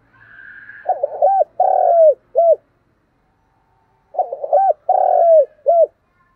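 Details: Spotted dove with a giọng đồng voice delivering thúc gù coos: two phrases, each a quick stuttered intro, a sustained burring note dropping at its close, and a short clipped hoot. A faint hum precedes the first phrase.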